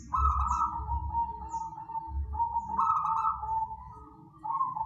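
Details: Zebra dove from the wild, recorded as a lure song for bird trapping: near-continuous trilled, warbling coos at steady pitch, swelling and fading in long phrases, over a low rumbling background.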